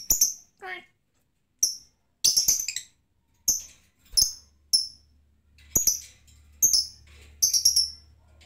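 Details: Lovebird ngetik: a string of sharp, high, clipped chirps, some single and some in quick doubles, every half second to a second, without the ngekek chatter that needs a lure; faint hum behind.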